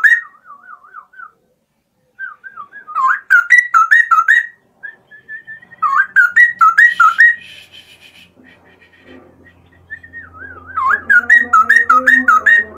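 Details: Straw-headed bulbul, a kept cage bird, singing loudly in the morning: rich, liquid whistled phrases with rapid rolling warbles, delivered in bursts separated by short pauses, with a faint low hum late on.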